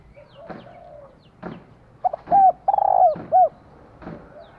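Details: Spotted dove hen stimulating a male: after faint distant cooing and a few knocks, a loud phrase of two short hoots, a vibrating drawn coo and a final downslurred note.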